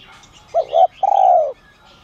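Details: Single phrase from a Spotted dove of giọng son voice luring wild doves: two short cooing notes then a sustained coo slowly falling in pitch.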